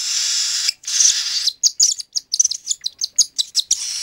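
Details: Hand-fed cockatiel chick, three weeks old: a long hissing rasp gives way to a rapid string of short, scratchy, high chirps.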